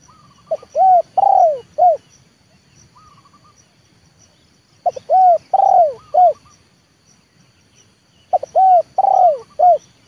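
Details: Trained leopard spotted dove calling as a decoy to lure wild birds down to the yard: three four-note cooing phrases, a short coo, a longer coo, a drawn-out falling coo, then a short final note, spaced a few seconds apart. A faint steady high tone runs throughout.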